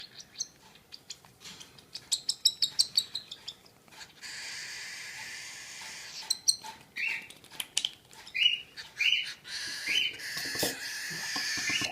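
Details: A baby cockatiel begs while being hand-fed, with rapid ticking pulses that swell into a long raspy, hissing buzz, then rhythmic scratchy bursts with a few thin chirps.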